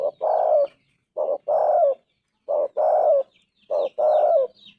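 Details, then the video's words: Tekukur, or spotted dove, delivering its clear 'golden voice' cooing: a brief note then a drawn-out, slightly descending coo, pairs spaced about every 1.3 seconds, with faint high chirps of other birds. "Tekukur gacor suara emas"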